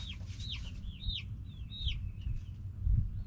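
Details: A group of backyard chickens, hens and roosters, gives a quick series of high, arched, bouncing peeps, a few notes louder than the rest, with low rumbling noise beneath.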